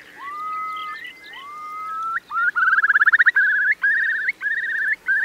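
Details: ['Eurasian curlews in a high-tide roost in the Marquenterre wet meadows, Bay of Somme, France, on 7 October 2021. Two rising whistles lead into a loud, bubbling trill that climbs and breaks into repeated short warbled phrases.']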